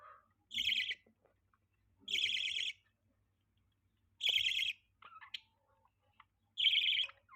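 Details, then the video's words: Budgerigar chirping: harsh, buzzy chirps, each about half a second long, repeated roughly every two seconds, with a few faint softer notes between them. "budgie chirping sound|budgie chirping voice"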